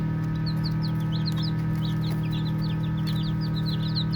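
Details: Playing baby chicks keep up a busy stream of soft, high, downslurred peeps in an uneven chorus, with a steady low mechanical hum underneath.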